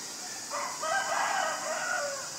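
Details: Common myna in Ubon Ratchathani, Thailand, 24 February 2022, Nikon P1000 recording: a long, rasping, rolling call of just under two seconds with a whistled thread through it, set against a constant high-pitched drone of insects.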